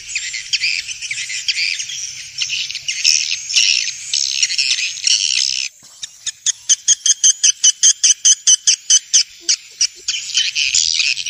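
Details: Swiftlet calling from Vietnam, used to draw swiftlets to bird houses: harsh overlapping chirps for several seconds, followed by a quick regular series of sharp clicking notes.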